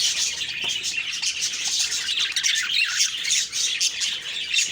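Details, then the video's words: Morning chirping of budgerigars recorded October 2, 2023, a continuous buzzy, squawking warble of many birds, dipping briefly in loudness toward the end before resuming. "Beautiful morning birds chirping sounds/Budgie sounds"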